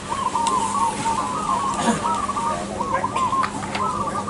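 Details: Crossbred zebra dove (perkutut crossing) in full song at a bird singing contest: a steady run of soft, rolling coos, repeated without pause, overlapping with other cooing doves and occasional sharp clicks.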